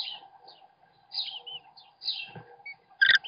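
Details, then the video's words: American kestrel young being fed by the male, heard through a webcam: several harsh high screechy bursts, a few thin whistled notes, and a loud knock near the end, over low hum. "American Kestrel - Dad feeds his kids!"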